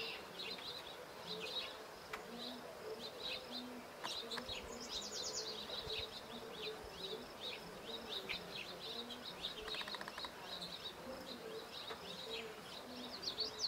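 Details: Male Black-chinned Hummingbird courting a female perched on the ground, making spectacular U-shaped dives of 60-100 feet; a high, buzzy tremolo whir lasts about a second amid a busy chorus of Red-winged Blackbirds, House Finches, Common Yellowthroat and Yellow Warbler.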